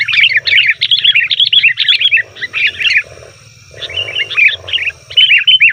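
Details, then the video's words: Noisy sooty-headed bulbul chatter used to attract wild bulbuls: two long rushes of jumbled, bubbly notes with a pause between, soft rustling and a low hum underneath. "suara burung kutilang ribut||ampuh untuk panggilan kutilang di hutan,kutilang di rumah pasti Nyaut"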